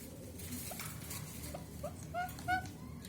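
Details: A baby pet parrot, described as angry, gives a quick burst of squeaky, whining calls, about five in a second, growing louder, over a steady low background hum.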